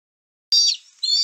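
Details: Bald eaglet at a Little Miami nest, 11 May 2024, as two young compete for a fish; one announces a parent's arrival. Two short bursts of high, thin, chittering squeals about half a second apart.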